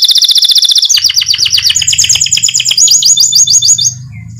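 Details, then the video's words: White canary singing as a lure for other birds: a fast, high, buzzy trill runs into a series of bright, repeated rising notes. A low murmur sits underneath. "PANCINGAN KENARI PUTIH GACOR"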